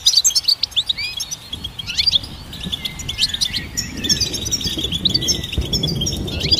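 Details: Goldfinch singing loudly at first with dense, bright twittering and chirps, then settling into softer continuous high warbling, while low rustling noise grows in the background.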